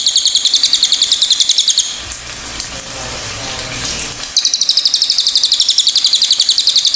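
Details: Pied fantail song, offered as tutor audio for training other songbirds: a high, even chatter of squeaky notes about four a second, broken midway by a burst of rushing water-like noise before resuming.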